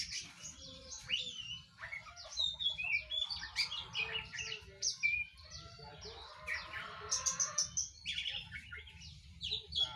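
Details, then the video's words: A young oriental magpie-robin, still untrained, produces a steady stream of quick varied chirps, slurred whistles and scratchy notes that overlap densely over ten seconds. "KaCeR BahAN,cuMan mengeluarkan SuArA aNeH d deTiK 18"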